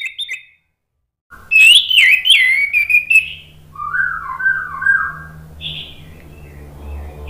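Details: ['Orange-headed thrush song used to coax birds into replying. A brief high note is followed by silence, then twisting high whistles, lower mellow phrases, a faint high note and a steady low hum.']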